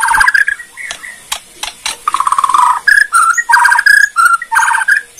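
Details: Kretekan song of a Borneo white-rumped shama, played to provoke rival shamas: clipped mid-pitched whistled notes in rapid chattering groups, some buzzy and stuttered, repeated in short bursts with brief gaps.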